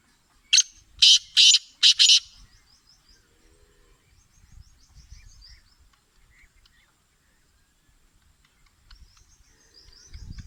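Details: Black francolin, called kala teetar, a Sindhi bird: one burst of five harsh, grating, buzzy notes in about two seconds, first short then four louder, followed by quiet with faint distant chirps and light low rumble.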